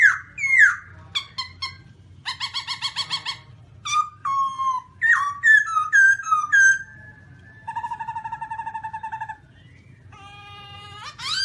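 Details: Black-throated laughingthrush (Garrulax chinensis), seen with funny dances, giving a varied song of loud whistled notes, harmonic trills, fast stuttering bursts and a long steady tone, with a low hum behind.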